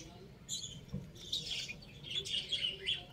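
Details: Young chickens playing together, calling with high, quick chirps and peeps in loose bursts, several birds at once, with a soft low thump early on and quiet room noise behind.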